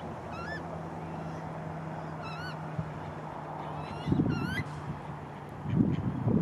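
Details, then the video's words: Young coot chick in Malibu; thin, high, quavering rising peeps given in small groups, followed by loud low rustling or handling noise and a faint steady hum. "Baby coot in Malibu"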